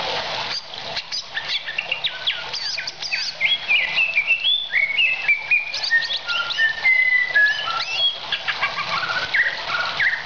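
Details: Greater green leafbird used as a tutor for training other songbirds, pouring out rapid, varied whistles and sweeping slurred notes mixed with chirps, about three or four notes a second, over steady hiss.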